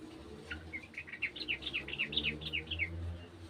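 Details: Sooty-headed bulbul from a garden answering another bird, giving a lively series of short slurred whistles and chirps, rising and falling rapidly for about two and a half seconds over low background hum.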